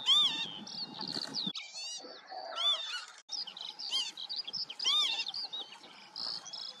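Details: Repeated slurred, rising-then-falling wheezy calls of a Northern lapwing, four or so in seven seconds, partly overlapped by a dense twittering chorus of other small birds and a brief pause near the middle.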